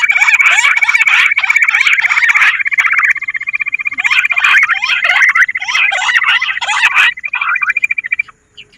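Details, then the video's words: Bush quail lure sound. A steady, buzzing trill runs beneath crowded, overlapping chirps for several seconds, then stops abruptly. "Bater ki awaaz madi gundari quilling sound bush Quil sound"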